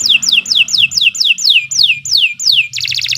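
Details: Canary singing for bird training: nine clear downward-slurred whistles at an even pace, about three per second, ending in a short buzzy rattle, with soft low background noise.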